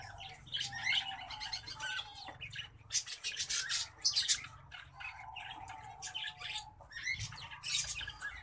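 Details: Hybrid finch, green singing finch crossed with black-throated canary, sings continuous scratchy, buzzy phrases mixed with sharp chirps and short trills, over a soft low background hum.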